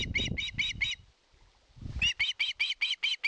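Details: Osprey at a Finnish nest in Satakunta, 2022, calling for fish: five quick piping whistles, a brief pause with low thumping, then a louder, faster run of sharp, upturned notes.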